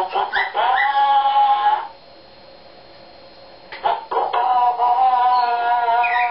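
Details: A male eclectus parrot sings his own made-up song, a warbling, tonal song of held, slightly wavering notes in two phrases with a short quiet pause between them.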